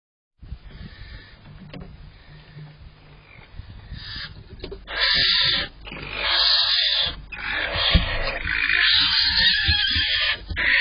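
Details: Barn owl pair at night on April 5th 2023, the male bringing prey to the female three times in under an hour around dawn; long, harsh hissing screeches in drawn-out bursts over a low rumbling background.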